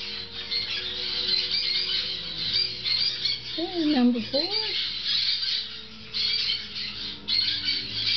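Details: Captive Grey-cheeked parakeet chicks aged six weeks feeding on fresh food; constant raspy squawking chorus with brief gaps, while a woman's voice speaks softly in the middle over a low hum.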